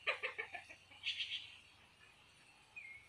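A minla sings a quick run of about six bright chirping notes, a brief warbled burst, then a thin high whistle after a pause.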